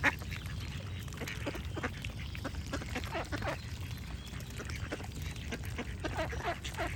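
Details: Duck giving irregular short, raspy quacks throughout, some in quick pairs, against a steady low rumble like running water.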